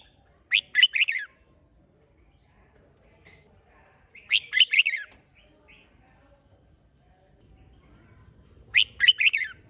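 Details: Red-whiskered bulbul in competition-style singing, used to rouse other bulbuls to sing: three short bright phrases of four or five quick warbled notes, each under a second, spaced about four seconds apart over a quiet background.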